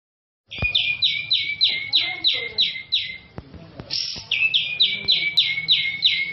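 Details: Captive grey-cheeked bulbul, a national champion songbird in a lively full-song state, sings a fast series of bright, slurred notes, about three per second. It pauses briefly near the four-second mark, then resumes with the same repeated phrase over a faint low background hum.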